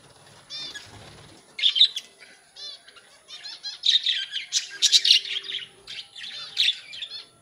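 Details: Colony budgerigars, including newly emerged babies: lively chattering with many quick, rippling, slightly nasal chirps in uneven bursts, several birds overlapping, and a brief low tone partway through.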